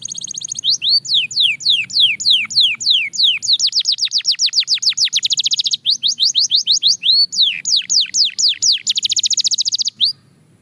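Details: Belgian canary song at fast tempo for daily practice: loud downslurred whistles alternating with dense rapid trills, phrases repeated over ten seconds before stopping abruptly.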